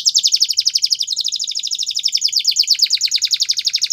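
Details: Belgian canary song meant for tutoring young canaries, a continuous fast rolling trill of repeated chirps, slightly shifting in pitch throughout, with no other sounds.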